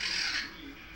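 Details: Pet Goffin's cockatoo playing and dancing, with its owner filming and coaxing it, gives one harsh, raspy screech lasting under half a second before quiet room noise.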